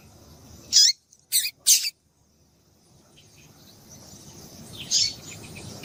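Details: Female double-collared seedeater piping to stimulate a male's song: three sharp high chips in quick succession, a pause, then one more softer chirp over a light background hiss.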